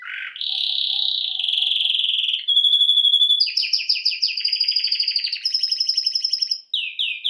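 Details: Canary song, training recording: a rising note leading into a sustained buzzy roll, a thin steady whistle, then rapid pulsed trills of repeated chips and closing downward slurs.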